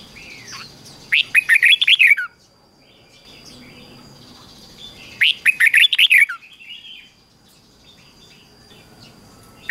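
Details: A red-whiskered bulbul sings two bright, bubbly phrases of quick liquid whistles, each about a second long and a few seconds apart, over a faint hiss. The recording is used to train and stimulate other bulbuls to sing in the morning.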